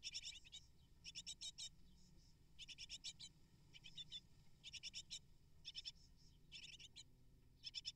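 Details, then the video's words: Great tit nestlings, eight of them, being fed prey by both parents at the nest; harsh, hissing bursts of begging repeated in short clusters throughout, with a low hum beneath. "Amazing Great Tit Parents Deliver 12 Prey To 8 Hungry Nestlings In Just 12 Minutes!"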